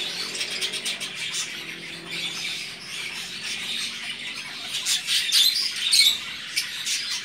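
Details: Rosy-faced lovebirds newly brought home, giving dense, shrill, high-pitched chattering squeaks and squawks that overlap almost without pause and grow louder and busier toward the end.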